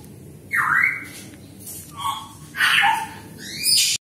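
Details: A pet black-capped lory trained to talk, kept indoors, gives harsh, squawking calls with sliding, rising and falling notes, three bursts over four seconds, against a quiet background.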